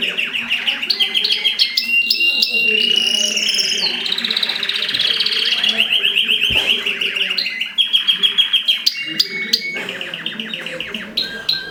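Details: Mosaic canaries during mating deliver a long, loud song of sustained rapid trills, sliding whistles and clusters of sharp repeated chirps, several pitch levels alternating throughout.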